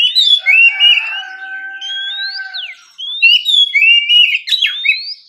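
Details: Morning, relaxed ngeplong song from an oriental magpie-robin: bright whistled phrases sweeping up then sharply down, a long steady low tone underneath the first half, a pause, then more loud rising and falling whistles.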